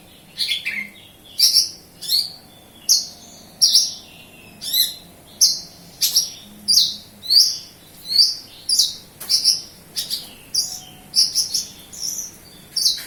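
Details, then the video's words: Javan bush lark from Kediri in full song, giving a steady series of bright, sharp chirping notes, each a quick high slur, repeated roughly every half to one second throughout. "Branjagan gacor lokal kediri"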